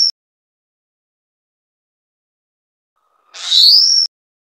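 A Taiwan whistling thrush gives one harsh, screechy call that sweeps up into a thin, high whistle, lasting under a second, amid otherwise silent surroundings.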